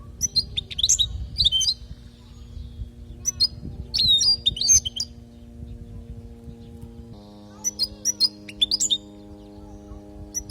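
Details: Palestinian European goldfinch performing a 'lugha' song meant to train young birds: sparkling high twitters and slurred chirps in three phrases separated by short gaps, with a constant low hum that shifts in pitch partway.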